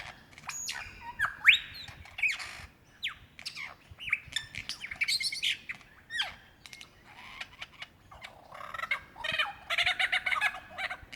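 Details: Lyrebird male singing to attract a mate, Dandenong Ranges National Park, Victoria, Australia, February 2016; dense jumble of whistled sweeps, snapping clicks and harsh chattering notes, varied and mimicking, ending in a rough burst of buzzy chatter.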